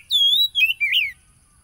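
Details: Oriental magpie-robin phrase played to rouse a stressed, silent wild-caught caged bird, recorded on a phone in Tulus Rejo village, East Lampung, Indonesia, 30 July 2022: three clear whistled notes, the first long and level, the others wavering and falling.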